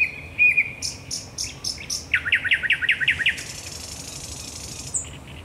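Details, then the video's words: Thrush nightingale in nocturnal song, Raszyn Ponds, Poland, 10 May 2021: a short whistle, a row of high ticking notes, then seven loud rapid chopping notes and a long harsh buzz. "Nocny śpiew słowika rdzawego"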